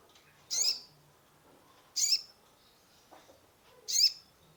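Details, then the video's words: Sunbird (kolibri ninja) lure song for a stressed caged bird: three piercing high chirps spaced about one and a half seconds apart over a quiet background. "Terapi pancingan konin gacor full isian mengatasi burung stress !!"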